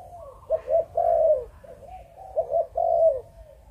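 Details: Malaysian spotted dove, bred in captivity, cooing chụp chụp ô twice: a pair of short abrupt notes leading into a longer falling coo each time, in a quiet setting.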